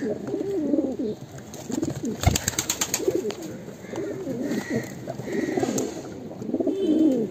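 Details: Fancy pigeon breeding pair from Mumbai giving deep, burbling coos in bursts, broken by a sharp rattling knock midway.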